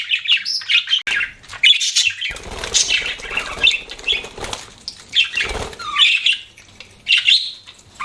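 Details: Pet budgerigars chirping: bursts of bright, scratchy chatter and short whistled notes, broken by pauses, with soft wing flutter sounds.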